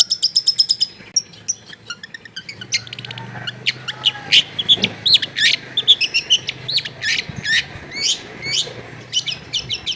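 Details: Long-tailed shrike song used as therapy to prompt a reluctant shrike to sing, recorded at a home in a crowded neighbourhood: fast jumbled sequence of high thin chirps, sharp clicks and harsh buzzy notes, busy and varied, with faint low background hum.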